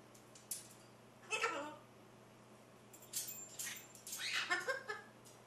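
A macaw gives bursts of harsh, raspy chatter, several short grating calls in a loose run, over a steady low electrical hum.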